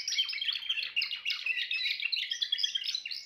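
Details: Dense, rapid Timbrado canary song: a busy stream of high chirped notes and rolling trills delivered almost without pause.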